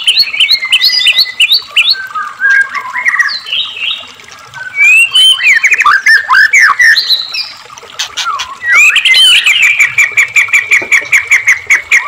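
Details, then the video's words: Murai batu, the white-rumped shama, singing energetically to make caged shamas sing: rich warbled phrases and rising whistles, then long runs of rapid, clipped repeated notes with sustained high tones. "murai batu gacor AMPUH buat PANCINGAN murai agar RAJIN bunyi JADIKAN murai gacor EMOSI ngeplong"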